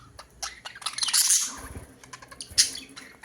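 Budgerigars chatter with bright, rapid chirps and scratchy warbles, rising to a dense burst of high squawks.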